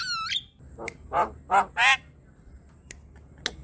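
A Javan myna opens with a rising, stepped whistle, then gives three harsh, grating squawks about a third of a second apart, followed by a few sharp clicks.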